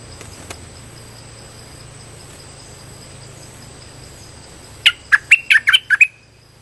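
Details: Streak-eared bulbul lure call for trapping, heard late: after a long near-quiet stretch with a steady high whine, a sudden quick burst of about six bright, slurred chirps ends the passage.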